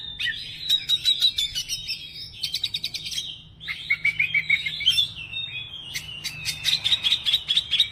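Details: Oriental magpie-robin in full song showing off its repertoire: bursts of rapid repeated chips, high whistled trills and sweet warbled notes alternating with harsh clicks, steady and loud over eight seconds.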